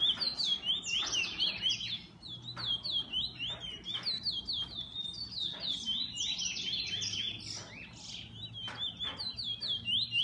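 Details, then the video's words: Kept pet bullfinch singing a busy, scratchy warble of quick wavering high notes, rising and falling slides, with clicks and faint background hum throughout. "Bullfinch 2"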